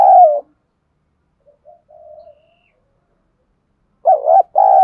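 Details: Spotted dove song in the 'thổ đồng' copper-voiced style of southern Vietnam, played to draw wild doves into calling: loud hollow coo, a long pause with faint quiet notes, then a paired deep coo phrase.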